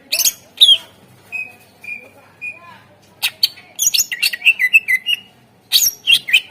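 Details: A Greater green leafbird sings to coax other birds into song: a few separate whistled notes, then a fast stream of twittering and falling whistles, and a final sharp burst.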